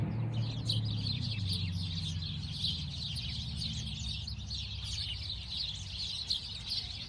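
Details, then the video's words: Sparrows chirping as a busy flock: bright, high chirps tumble over one another continuously, while a steady low hum sits underneath, strongest in the first seconds. "Relaxing sparrow sound | relaxing bird sound | birds chirping sound"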